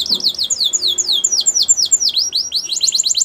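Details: Quick, varied series of high downslurred and looping whistled notes from a Russian canary in flute-style song.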